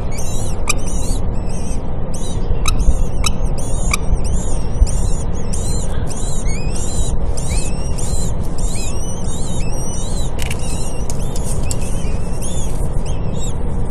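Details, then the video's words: Common kestrel at a nest in a university building in Cairo, eggs just hatched, female bringing food to her chicks; rapid series of thin, high, squeaky calls, each brief, over constant loud low rumbling noise. "Common Kestrel feeding chicks"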